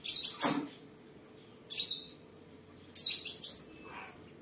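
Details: In Đồng Nai, Vietnam, a tame seven-coloured sunbird sings while displaying and sparring, 23 July 2022: three high, bright chirps, each a descending sweep with a thin whistled tail, separated by pauses of over a second.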